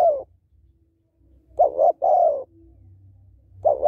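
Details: Spotted dove female calling to stimulate males, a short pulsed coo then a longer falling coo, phrase fragments at both ends, with a faint low rumble throughout.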